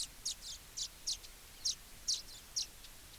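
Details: Baya weaver calls as sharp, high chirps, about three per second, fairly faint against a constant hiss.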